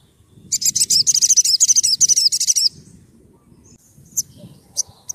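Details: Olive-backed sunbird, locally sogon or sriganti, in full song, used to lure birds and train other cage birds: a fast, sharp, high-pitched trill lasting about two seconds, followed by a few isolated thin chips.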